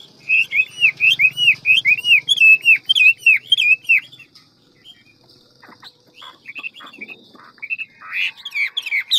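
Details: Hwamei singing a fast, many-voiced song in the wild-forest style; a rapid series of clear looping whistles runs for four seconds, then scattered sharp notes and a closing burst of varied phrases.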